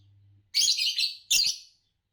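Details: Green Fischer's lovebird giving two loud, raspy, shrill chirps in close succession. The first is longer and wavering, the second short and sharp, with a faint hum before them.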